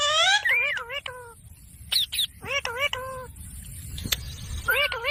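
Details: Green talking pet parrot uttering rapid series of harmonic, speech-like syllables with arching pitch contours, interspersed with sharp high squeaks and brief pauses.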